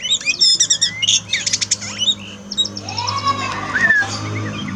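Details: Oriental magpie-robin song, played as therapy for a pet bird that sings little after moulting: rapid buzzy chattering bursts at first, then a sliding, falling-and-rising whistle, with a low steady hum underneath.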